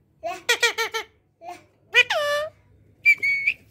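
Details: Talking Indian parrot imitating sounds: a burst of quick, harmonically rich speech-like syllables, a drawn-out nasal falling note, then a short clear whistle.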